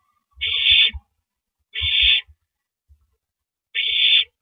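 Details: Owl at the nest transferring a rabbit to its mate, 9:14 PM, April 9, 2012; three rasping screeches, each about 0.4 seconds, spaced roughly 1.5 to 2 seconds apart, over low scuffling knocks.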